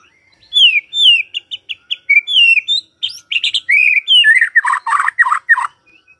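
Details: White-rumped shama singing in the morning as a lure to provoke a quiet bird: sweet whistled phrases and slurred notes give way to a burst of harsh, buzzy, grating notes, all rapid and varied.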